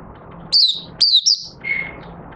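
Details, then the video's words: Caged oriental white-eye beginning to sing on 25 August 2022 after three months of open-cover and night sleep training: two bright, high, falling chirps and a short twittered pair, then a thin level whistle, with a faint hum behind. "Mata Puteh Raja Buka Sing"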